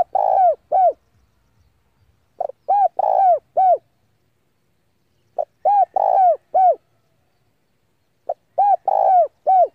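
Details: Decoy spotted dove calling rivals in to fight, repeating a four-to-five-note cooing phrase roughly every three seconds. Each phrase has a brief lead note, then mellow arched coos around one long rough coo. No other sounds.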